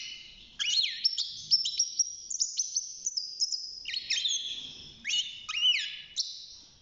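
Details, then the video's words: Six-month-old European goldfinch in a cage, just beginning to sing: a lively run of high twittering, tinkling notes with quick rising and falling slurs, nearly continuous with a brief pause near the middle. "الحسون بعد مرور ستة شهور أصبح يغرد"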